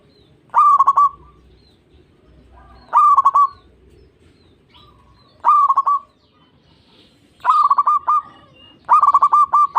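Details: Zebra dove (perkutut) song used as a lure to stimulate other doves to sing: five bursts of rapid, staccato, rolling coos, each phrase about half a second long, repeated roughly every two and a half seconds over a quiet background.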